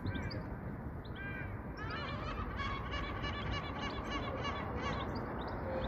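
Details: A European goldfinch in the UK sings a fast, tinkling run of high twittering notes and buzzy trills, over a steady low rumble of background noise.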